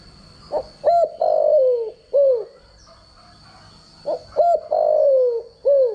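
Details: Spotted dove decoy call, used for daily voice training of spotted doves: two bursts of cooing, each a short note followed by longer, falling, hollow coos, with a faint steady high tone in the background.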